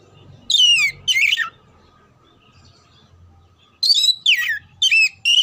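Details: Oriental magpie-robin song meant to train kacer for singing competitions: two loud descending whistled phrases with a buzzy edge, a two-second silence, then three more rapid ringing notes.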